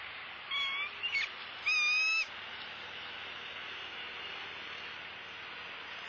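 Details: Wild bald eagle calling from its nest in Southwest Florida, watched by a live camera during a turtle delivery: a couple of thin, piercing whistles followed by a longer, louder ringing squeal, with background hiss throughout.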